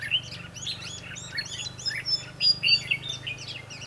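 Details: Red-whiskered bulbul song recorded while trapping wild birds on 22 December 2015. Rapid, rolling whistled notes form tight, repeated phrases over a faint low hum.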